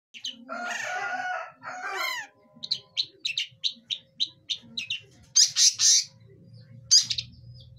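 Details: Young long-tailed shrike learning to sing: a rambling harmonic warble with rising sweeps, then a run of short, evenly spaced chirps and a few harsh bursts, with a faint low hum underneath.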